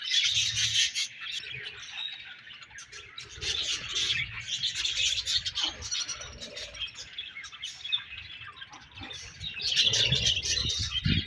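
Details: Budgies in a colony keep up steady overlapping chirps and twittering, rapid and uneven, fading slightly in the middle before swelling louder again near the end; soft low knocks now and then.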